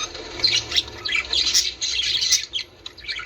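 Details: Budgerigars chattering to prompt mating: scratchy squawks and warbled twitters rising in a dense burst, then thinning toward the end.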